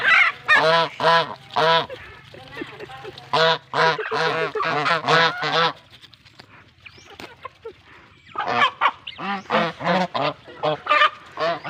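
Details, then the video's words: Hungry geese honk in loud, harsh, nasal bursts about twice a second, pause briefly in a quieter stretch, then burst into honking again. "goose sound hungry"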